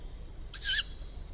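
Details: A juvenile tawny owl gives a single harsh, wheezy hiss about a quarter of a second long, high and breathy against a quiet background; young birds call like this in woodland, parks and gardens between March and May.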